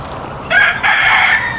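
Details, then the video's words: A chicken crows in the morning in a village in Penang, Malaysia: a short hoarse note broken off, then a longer strained note held to the end, over a low outdoor hiss. "এদিকে মুরগির আওয়াজ শোনা যাচ্ছে।"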